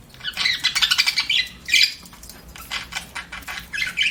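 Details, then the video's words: Budgerigar chirping in a rapid, chattering series of buzzy, scratchy notes, with a short pause near the middle before more bursts of busy warbling chatter. "BUDGIE CHIRPING SOUNDS"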